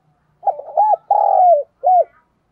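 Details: Decoy spotted dove cooing to provoke and call in wild doves: a low, hollow coo phrase of several linked notes, a long drawn-out middle note and a short final coo, clean background.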